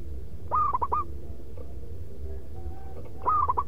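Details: Local zebra dove (perkutut) kept as a lure bird, giving a loud, rhythmic manggung song: two short bursts of quick, clipped cooing notes, one near the start and one at the end, separated by a pause over a steady low hum.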